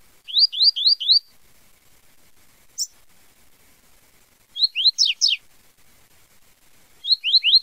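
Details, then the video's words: Song of a double-collared seedeater, the style known as tui tui zel zel: runs of four quick rising whistled notes, a single high squeak, then rising slurred phrases repeated after pauses, with no other sounds. "Canto do Coleiro Tui Tui Zel Zel"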